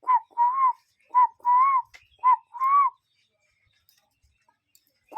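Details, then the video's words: Cuckoo calling in nature. Clear whistled notes, each swelling and rising slightly before dropping, given in quick uneven bursts of short and longer phrases over about three seconds, then silence. "Relaxing Cuckoo Bird Sound in Nature"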